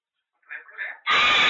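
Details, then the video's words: A pet parrot makes two soft, warbling, chatter-like notes, then breaks into a loud, harsh, sustained screech. "새상에서 제일 웃긴 앵무새"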